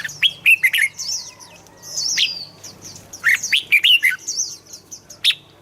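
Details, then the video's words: Red-whiskered bulbul singing, used as a lure or to rouse other birds: clusters of quick liquid whistled notes at the start and again after three seconds, over constant high, thin chirping. "เสียงนกกรงหัวจุก สำหรับต่อ หรือ เปิดให้นกคึก"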